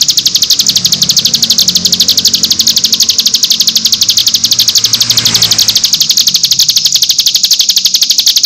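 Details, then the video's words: Cigun nembak-style masteran song for training young birds: a long, fast, high-pitched rattling trill of evenly spaced notes with a faint low hum behind it. "MASTERAN CIGUN NEMBAK 6 VARIASI"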